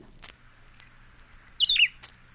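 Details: Blue-headed Vireo, announced as Solitary Vireo, gives one short, sweet phrase of high, wavering, slurred whistled notes rising and falling in under half a second, with faint clicks around it.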